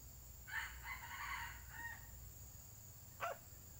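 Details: Red junglefowl crowing during a session luring wild junglefowl: a faint, broken, hoarse crow of several rough segments lasting about one and a half seconds, followed by a short sharp call, over steady low hum and a high insect whine.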